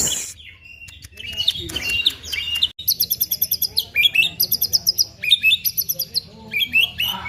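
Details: Song of a white-rumped shama mimicking a female prinia: varied whistles and buzzy phrases give way to fast, evenly repeated high chips and bright downslurred whistles delivered in rhythmic bursts.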